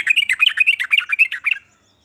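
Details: A trucukan, or sooty-headed bulbul, sings a rapid chattering phrase of bright warbled chirps, said to spur other bulbuls to sing, ending abruptly in silence.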